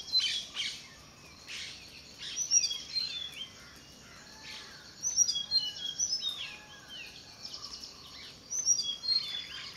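Tickell's blue flycatcher gives high, thin, tinkling phrases of quick rising and falling notes, repeated in short bursts every few seconds over a soft rustling background.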